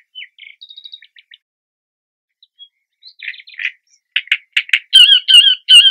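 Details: Great reed warbler at its nest in a marshy reedbed sings loud, harsh, grating phrases of repeated croaks and squeaky notes, building from scattered chirps into a rhythmic 'karra-karra-kiet' series.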